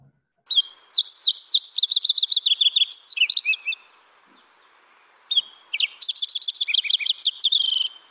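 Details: Fox Sparrow singing at Lake Tahoe: two rich, musical phrases of whistled notes and slurred trills, each about three seconds long, each with a swooping "dipsy-do" dip near the end. This dip may not be given by all Fox Sparrows.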